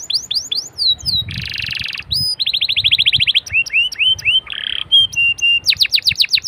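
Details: Canary song used as a lure to prompt other canaries to sing: rapid varied phrases of high rising whistles, buzzy trills and fast repeated notes changing every second, with a steady low background rumble.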